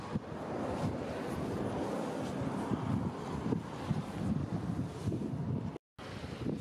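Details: Strong wind buffeting the microphone over rolling surf, with no animal voice; a brief dropout near the end.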